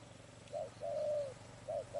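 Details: Spotted dove heard in a trapping setting gives soft hooting coos, a brief note then a drawn-out level one, with another short note starting at the end.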